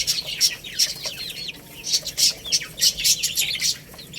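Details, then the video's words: Young chickens (chicks) eating rice: a busy flurry of high, thin chirps, some sliding downward, overlapping quickly with sharp bright clicks scattered throughout and bursts of louder peeping every fraction of a second. "Beautiful Little Chicks Chirping Sounds"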